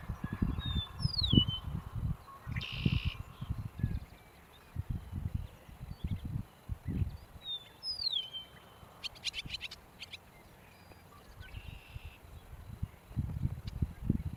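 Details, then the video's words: Eastern Meadowlark giving clear, slurred whistles that glide downward, twice about seven seconds apart, with short buzzy notes between. Heavy low wind rumble runs throughout. "Suara Burung Eastern Meadowlark"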